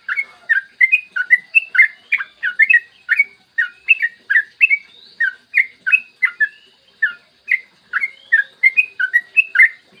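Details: A long, nonstop bout of yellow-vented bulbul song, used as a lure so that other bulbuls start singing. Bubbly, gurgling whistled phrases follow each other quickly and steadily with hardly any gaps.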